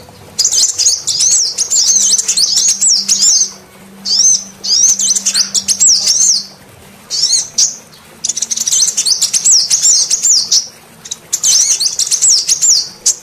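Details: Long sequence of a female sunbird calling, used to attract every kind of sunbird, especially males gone quiet: repeated bursts of shrill, zigzagging twitter phrases, each a second or two long, with clear pauses between.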